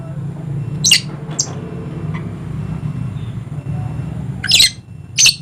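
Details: Harsh, buzzy screeches from a dusky lory, a Papuan endemic of eastern Indonesia: one pair of squawks early, then a quiet gap, then two more rasping calls near the end, all over a constant low background hum.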